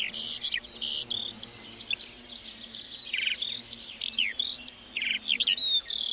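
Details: Lark song from a meadow: hurried, scratchy high chirps and buzzy trill bursts alternating with thin whistles, continuous and bright.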